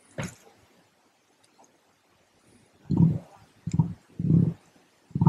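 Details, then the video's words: One of two emus at a cafe in Lithgow, NSW, gives four deep, hollow thumping booms in quick succession about half a second apart, after a brief click and a quiet pause. "The Sound of the Emu"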